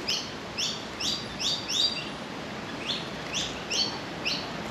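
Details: Two young Australian magpies being hand-fed alongside their father; a series of short, high, down-slurred squeaky calls repeated roughly twice a second, with a person's voice nearby and steady outdoor background noise.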